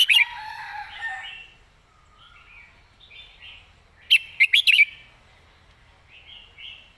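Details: Red-whiskered bulbul in a cage singing its clearly articulated 'mae bot' master song: a short warble, soft chatter, then a loud phrase of five fast whistled notes, followed by quieter chirps.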